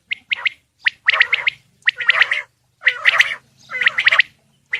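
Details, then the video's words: Male Coturnix quail calling in separate bursts roughly every second, each a rough, gargling chatter mixed with short whistled notes, with quiet gaps between and a faint low hum underneath. "Male Coturnix Quail Calls / Sound"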